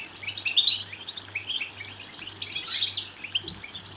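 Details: Goldfinch song used to encourage goldfinches to sing: quick liquid twitters and chirps, louder bursts around half a second and near three seconds, with a low throbbing hum throughout.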